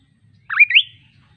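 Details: Kaso kaso bird song, described as melodious and relaxing: two quick rising, slurred whistled notes in a brief phrase, clean with no other sounds.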